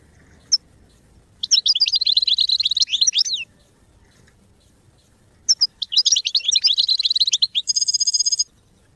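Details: Goldfinch song for song training: two energetic phrases of quick, tinkling twitters, the second ending in a harsh, buzzy, drawn-out note.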